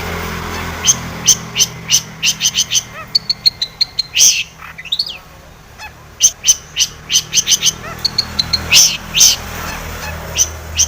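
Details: Long-tailed shrike in rich, excited song used to provoke singing; fast trains of very high ticking notes and piercing whistles, a brief rising slurred call midway, over a constant low hum.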